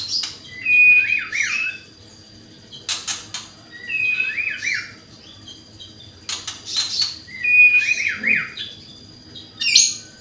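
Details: Vigorous white-rumped shama lure song, repeated three times: a clear whistle dropping into tumbling warbled notes, separated by loud dry clicking rattles and raspy bursts; a thin steady tone runs underneath throughout.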